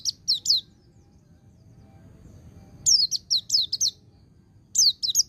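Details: White-eye ngecir sambung ngalas song, played to excite untrained white-eyes. Short high twitters of three notes, a two-second pause, then a longer run of six fast, sharp chirps and another brief burst.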